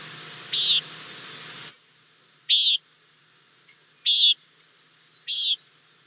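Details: Common Nighthawk in Montana, typically crepuscular but also heard by day, giving its short call as it flies past: four short, buzzy, nasal 'peent' notes about one and a half seconds apart, after a brief opening hiss.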